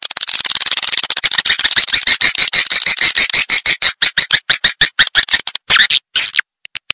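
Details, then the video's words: Swiftlet attraction call: a rapid, steady train of sharp, clicking chirps, roughly three a second, swelling in loudness before stopping abruptly near the end. "Suara Burung Walet Panggil"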